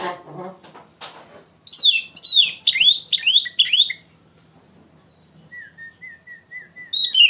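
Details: Oriental magpie-robin, a loud, lively song used as a lure to train young songbirds: bursts of sweet, varied whistled phrases slurring up and down, then a string of short, soft, level whistled notes and a final loud burst.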